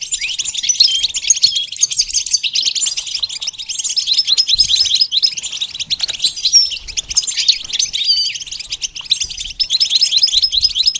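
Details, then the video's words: Goldfinch singing for eleven seconds without pause, a rapid jumble of bright chirps, liquid twitters and brief buzzy rolls, high and energetic throughout, offered as a model for teaching goldfinches to sing. "training the goldfinch to sing"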